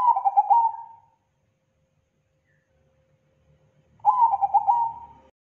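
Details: Zebra dove (perkutut) lure call, described as thick, loud and clean: two rolling, trilled cooing phrases about a second long, the second starting four seconds after the first, with nothing else heard between them.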